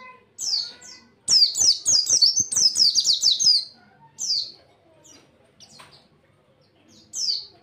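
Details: Caged white-eye (pleci) singing in the energetic 'tembakan' style used as a master recording for training other birds: a rapid burst of high, sharp downslurred chirps around two seconds long, then scattered single high notes with quiet gaps.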